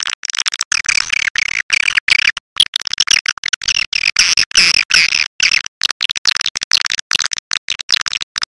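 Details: Swiftlet lure call, heard in the evening, used near nests to draw birds in: dense, rapid high twittering chirps in irregular bursts with brief gaps, buzzy and scratchy throughout.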